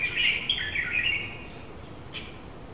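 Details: A Japanese white-eye, one of a pair outside a window in July, gives a quick run of thin, high twittering notes for about a second, then one short chirp after a pause; faint background hiss.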